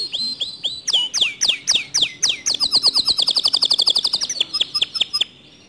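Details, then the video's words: Canary song said to rouse other canaries to sing: a few slurred notes, then a quickening series of sharp chips running into a long rapid even trill. "Suara Kicauan Kenari ini Sering Kali Memancing Emosi Kenari Lain Agar ikut GACOR DOR"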